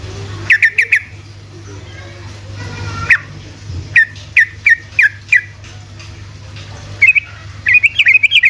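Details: Yellow-vented bulbul in rapid 'ropel' singing style, used as a lure so quiet bulbuls answer: scattered bright chirps in short bursts, a brief run near the end, over a steady low electrical hum.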